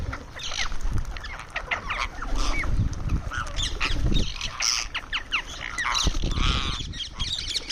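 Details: Indian ringneck parrot making sounds while eating: a busy run of short, harsh squawking notes in irregular bursts, some buzzy and drawn out, with steady low-pitched rumbling noise underneath throughout.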